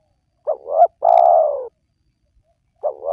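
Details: Spotted dove call from a lure recording for wild doves. A wavering two-note coo, then a long, steadily falling coo, and the start of the next phrase after a pause.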